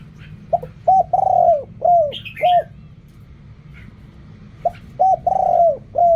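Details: Spotted dove cooing in the style Thai keepers call 'riak kham, khu kham, ok rong': two matching phrases of soft, low coos, each built around one long, falling note, separated by a pause with light chirping.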